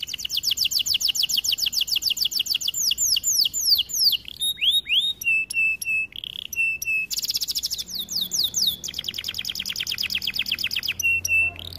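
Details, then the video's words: Male-style varied canary song for training: long rapid trills of repeated notes, broken by short swept whistles and a steady held tone, then another fast rolling tour of notes. "Melodies Canary bird song | Training video"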